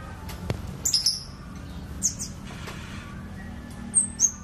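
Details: Scarlet-backed flowerpecker giving scattered, very high, thin ticking notes in short clusters with pauses between, a sharp click near the start and a low steady hum behind.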